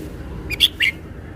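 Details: Red-whiskered bulbul showing off its song repertoire: one short, bright phrase of two or three quick chirped notes, the last slurred and rising, over a quiet background hum.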